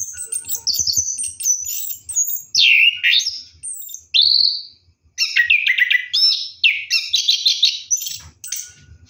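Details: Orange-headed thrush singing at night while bathing, mixing high twitters, swooping downslurred whistles and dense rattling trills in a fast varied flow.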